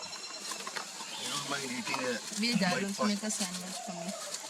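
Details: Male and female red junglefowl at Dehing Patkai National Park (Soraipung region), Digboi, Assam, India, March 2021, giving low, rounded clucks in short, uneven runs, with faint higher chatter and rustling behind.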